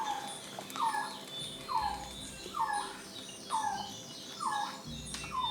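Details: A Resplendent Quetzal in the cloud forest of Monteverde, Costa Rica, filmed between December and May, gives mellow, falling whistled notes about once a second, six in a row, over a soft hiss of forest insects.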